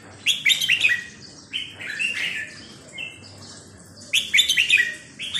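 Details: Sai nap dok style song from a red-whiskered bulbul: rapid clusters of bright, chirpy whistled notes at the start and again after four seconds, with softer slurred phrases in between.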